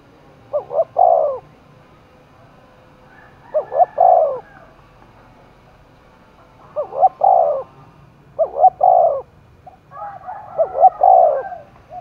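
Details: Spotted dove roused for contest in the forests of Đồng Nai, Vietnam, giving repeated cooing phrases of a few quick notes ending in a longer drawn coo, about every three seconds, with faint other birds behind.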